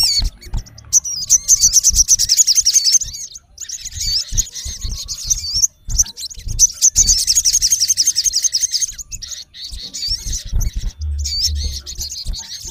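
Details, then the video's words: Male olive-backed sunbird calling a rival in two long, fast runs of very high, buzzy chirping separated by short pauses, followed by looser twitters and looping whistles; faint low rumble underneath. "MALE SUNBIRD CALLING RIVAL -SOGON GACOR MEMANGGIL LAWAN KASAR"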